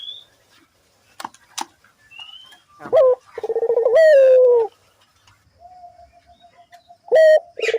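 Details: Barbary dove in full voice, used as a lure to set other doves calling: one sharp rising note, then a long trilled coo sliding downward. A softer dove coo and a few bird chirps sound nearby.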